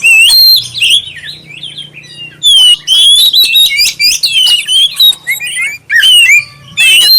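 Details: Black-breasted oriental magpie-robin singing a clear lure song meant to prompt other magpie-robins to sing: loud, varied whistled phrases, sweeping and trilled, in bursts with brief pauses, over a faint low hum.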